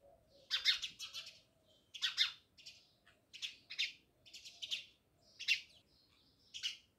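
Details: Several house sparrows near a Jamnagar village house chirp steadily, doubled and tripled bright notes repeating irregularly over quiet background hiss.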